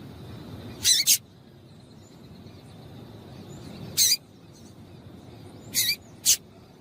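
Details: Female double-collared seedeater calling to stimulate males: three short, sharp, high chip notes, the first a quick double, spaced about two to three seconds apart over a quiet background.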